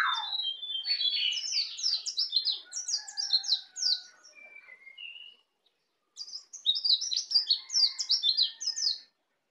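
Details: Young Bali white-eye, native to Bali, just learning the ngeplong song style: rapid bursts of high, sharp twittering notes mixed with a few lower whistled notes, a pause near six seconds, then another fast high twittering run.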